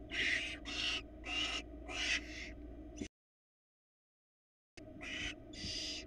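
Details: Nest-box barn owls in Florida, 2022, with a rat just brought in by the male. A string of about four harsh, rasping hisses is followed by a pause, then two more.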